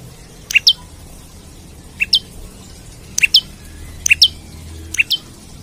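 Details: An olive-backed tailorbird in full song, seeking a rival, repeats sharp, high paired chips, each a quick two-part note, about once a second with short gaps; faint low background hum.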